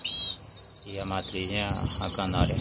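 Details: Intense yellow canary, a Belgian canary kept as a cage bird, singing: a rapid high trill of repeated notes holding steady, after a brief opening whistle, with faint low background noise.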